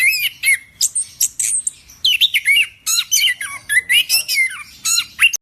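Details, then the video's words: Orange-headed thrush (anis kembang) singing a dense, fast medley of harsh squawky notes, bright slurred whistles and crisp clicks, repeated in short bursts with barely any gaps. "Burung Anis Kembang Yang Super Gacor"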